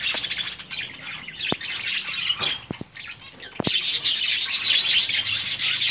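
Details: Budgerigar breeding colony: scattered chirps and sharp clicks at first, then a sudden loud surge of overlapping high warbling chatter from many birds.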